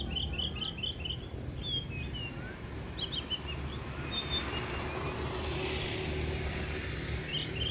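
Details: Wild long-tailed shrike chicks in the nest, tended and fed by a parent, give quick bursts of thin, high chirps, then a few more a few seconds later, over steady low background rumble.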